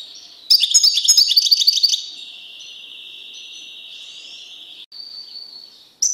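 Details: Caged male goldfinch isolated from his female canary mate: a burst of rapid twittering trills lasting over a second, then long, steady high whistled tones that hold through most of the clip.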